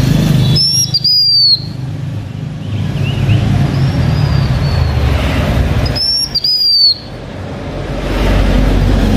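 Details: Lure song from a blue-winged minla kept by a Hmong owner in Vietnam: two loud high whistled phrases about five seconds apart, each rising briefly then gliding down, with faint distant whistles and low rumbling noise between.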